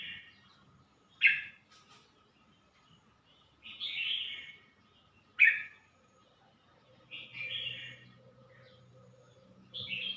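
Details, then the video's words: Red-whiskered bulbul from Suan Phueng, Ratchaburi, Thailand, giving short loud whistled phrases spaced a few seconds apart, each a sharp burst followed by a softer warble, with a steady faint hum and low background noise. "นกกรงหัวจุก สวนผึ้ง - ราชบุรี"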